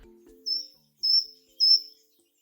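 Short-toed Treecreeper giving three loud, high, piercing 'tiit' notes about half a second apart; a brief low murmur of voice precedes them.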